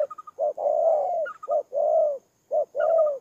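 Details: Ground decoy spotted dove from Tumorong, Kon Tum, Vietnam, 23 September 2018, giving low coos: a brief note followed by a drawn-out, slightly falling coo, three phrases, broken by faint quick higher stutter notes.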